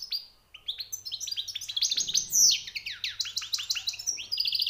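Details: European goldfinch, a fresh catch, delivering rapid tinkling song with high notes, quick rising and falling chirps packed closely, one loud harsher note near the middle.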